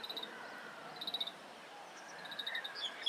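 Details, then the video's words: Grey-capped Greenfinch (Chloris sinica) calling in Hong Kong: short, rapid twittering bursts about one a second, then a few clear, higher tinkling notes over a soft background hum. "金翅雀 Grey-capped Greenfinch"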